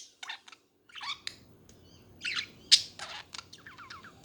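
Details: Budgies chattering indoors, a busy run of short scratchy chirps, squawks and small warbled notes, loosely spaced with brief pauses and a loud harsh note at the close.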